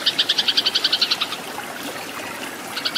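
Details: Tree sparrows fighting, a tutor recording for cage birds: a quick burst of about a dozen loud, clear chirps lasting just over a second, then quiet, then the chirping starts again.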